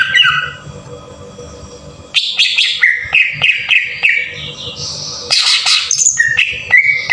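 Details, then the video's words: Green leafbird rough-style lure song for triggering other birds: after two quiet seconds with a faint hum, a lively burst of varied whistles, warbles and harsh squeaks runs almost without break to the end. "PANCINGAN PENDONGKRAK EMOSI CUCAK IJO TEMBAKAN KASAR // CUCAK IJO BAHAN PUN JADI GACOR"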